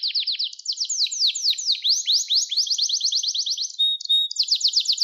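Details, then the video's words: Canary singing a training song for young birds: a continuous run of rapid downward-slurred notes repeated several times a second, high and bright, briefly broken by a thin steady whistle before the slurred series returns. "Kanarya Sesi Ötüş Eğitimi 2021 | Kanarya Ötüşü ve Ötüm Eğitimi"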